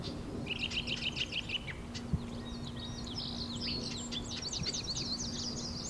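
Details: A Marsh Wren near its oval grass nest in a cattail pond in Taquanyah Conservation Area near Cayuga, Ontario, scolds the observer who found the nest. It gives about eight dry, even ticks, then harsh, buzzy chatter over a low steady hum.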